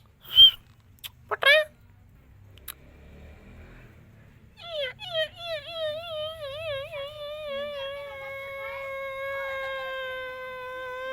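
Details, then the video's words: Indian green parrot talking: two sharp, squawky chirps, then a long, nasal, voice-like phrase with a quavering, wobbling pitch, drawn out for several seconds; the words "mithu putra" are spoken nearby. "Parrots sounds green parrots talking miya Mithu"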